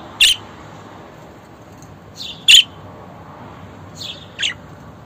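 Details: Budgerigar calls meant for pet budgies to hear: brief bright squawky chirps, about five in five seconds, some sharp and loud, others softer, with a faint low hum beneath.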